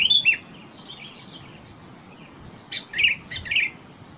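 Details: Kutilang, or sooty-headed bulbul, singing: a short whistled phrase opens, followed by softer notes, a long pause, then two brief chirpy whistles near the end.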